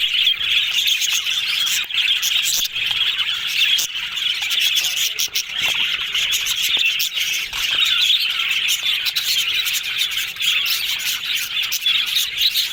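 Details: Yellow budgerigars chattering happily, a long, rolling mass of scratchy warbles and twittering, punctuated by brief sharp clicks and tiny gaps.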